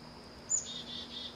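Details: Tits squabbling in a morning aviary over a sunflower seed basket, shared with a woodpecker and a squirrel: thin, high chirps, one sharp note then softer twittering.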